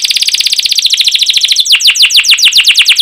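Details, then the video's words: Canary in energetic, long-running song used to prompt other canaries to sing: a loud, fast roll of high repeated notes, about three or four per second, shifting midway into longer downward-sweeping whistled cuit notes. "PANCINGAN Kenari GACOR PANJANG Cuit CUIT EMOSI"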